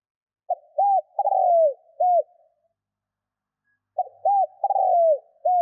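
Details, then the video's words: Cooing of a spotted dove, used to attract wild birds: two repeated phrases, each a quick note, a rounded coo, a drawn-out descending coo and a closing arched coo, with a silent gap between. "Tiếng CHIM CU GÙ GÁY KÍCH BỔI NHANH GÁY"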